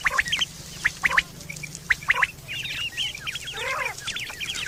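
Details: Quail recorded in September 2023, a call described as used for hunting and mating: three quick sharp whistled notes repeated about once a second, followed by busy higher chattering from other birds.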